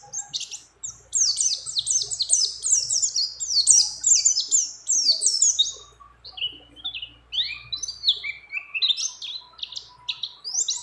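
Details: Female white-eye in breeding condition calling a male, its song mixed with many other birds: dense runs of high, sharply sweeping chirps and twitters, rapid and continuous, dropping to slightly lower squeaky notes in the second half.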